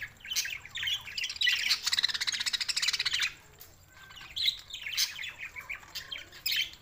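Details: Warbling budgerigar chatter from Larkana, Sindh, June 7, 2024, including a rapid buzzy stuttering run lasting over a second, then scattered chirps and a louder squawky burst near the end.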